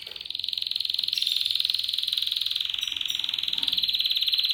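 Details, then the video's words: Seven-month-old male Spanish Timbrado canary singing in discontinuo style: a long, steady metallic rolling trill, rapidly pulsed at one high pitch throughout, like a ringing bell. "Spanish Timbrado Canary Twitter Timbrado_Canary,timbrado discontinuo تغريد كناري التمبرادو"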